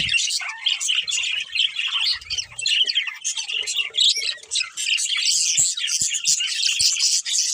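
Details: Two pet budgies chirping and squawking: bursts of high, rasping chatter and shrill warbled notes rising and falling in loudness, with short pauses and a few low clicks toward the end.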